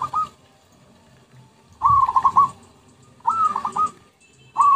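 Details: Zebra dove lure recording: bubbly coos with a short rising start breaking into rapid stuttered notes, repeated roughly every one and a half seconds, over quiet low rumble.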